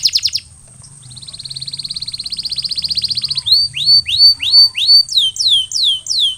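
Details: Canary recovering after molting. A soft rolling trill swells steadily louder, then changes to loud rising whistled notes and ends with quick descending slurs.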